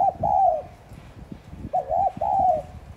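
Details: Spotted dove cooing in the thúc gù style meant to provoke other doves: mellow arched coos in two bursts, each a brief note and then longer hooting notes, over soft low knocking and rustling.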